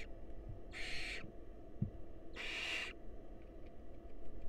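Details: Wild barn owl nest box at feeding time, male presenting a mouse that the female feeds to a nestling: two loud, noisy screeching hisses about one and a half seconds apart, a faint knock between.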